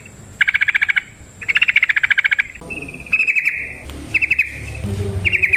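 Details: Trucukan (yellow-vented bulbul) in lively forest-style long ropel song, used as a lure to set other trucukan singing; bursts of rapid buzzy pulsed chatter repeated in short trains, with bright whistled phrases breaking in toward the end.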